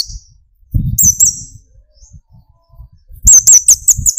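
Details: Brown-throated sunbird (kolibri ninja) singing to prompt other birds to answer: a brief piercing trill, a long pause with faint low thuds, then a loud rapid string of very high, sharp chirps.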